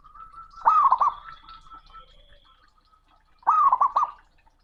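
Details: A male zebra dove's loud, booming challenge to a rival: two cooing phrases nearly three seconds apart, each a bright gliding note breaking into bubbly repeated hoots, a faint thin whistle in the background.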